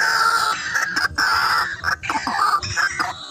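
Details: Rice-field white-breasted waterhen drawn in by luring: continuous harsh, strident calling with rich harmonics, rising and falling in loudness, a few short gaps between bursts.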